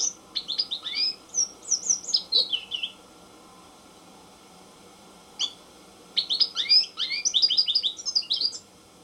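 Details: American goldfinch song: long rambling series of high, sweet twitters, upslurred whistles and trilled notes, pausing about three seconds before another fast twittering burst; faint background hiss.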